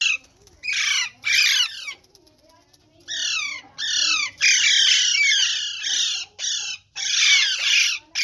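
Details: Group of caged parrots calling: harsh, raspy squawks in bursts of about half a second to over a second, rapid and overlapping, with brief pauses between volleys; no other sounds stand out.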